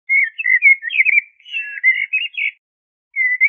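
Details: Mellow whistled song of a common blackbird, a string of warbling, slightly wavering fluty notes running almost unbroken for over two seconds, then a pause and the start of a new phrase.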